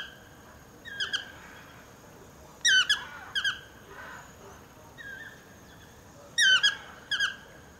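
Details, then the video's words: Toucan calling in trees just below a house, talkative: repeated squeaky, harmonic yelping notes in pairs, about four paired bursts over several seconds with irregular gaps, plus faint rustling in the foliage. "Toucan calling"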